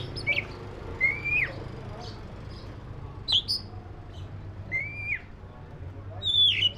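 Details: Black-breasted Oriental magpie-robin producing clear, sweeping whistles, each slurring upward then dropping, spaced a second or more apart, with a faint low hum.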